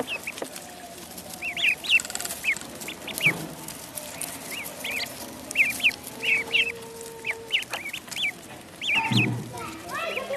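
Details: Duckling in a pond with clusters of shrill, rising-falling peeps spread throughout, a steady mid tone briefly audible, and a dull thump near the end.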